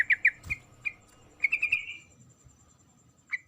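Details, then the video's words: Female sooty-headed bulbul calling to a male: short, bright chirped notes, a quick cluster of four followed by a longer trailing note, then a single note after a pause. "suara panggilan trucuk betina memanggil jantan"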